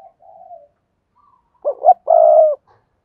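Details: Spotted dove decoy from Đồng Nai giving a double-voiced cooing call to lure and rouse wild doves: a soft low coo, a pause, then two louder low coos, the last long and steady, against a silent background.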